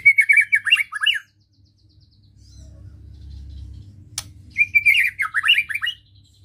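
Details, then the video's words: White-rumped shama giving ketrekan, meant to provoke emotion: two bursts of rapid, buzzy, descending chattering notes about a second long, separated by a pause with a low rumble and a single sharp click. "Ketrekan Murai Batu Untuk Merangsang Emosi"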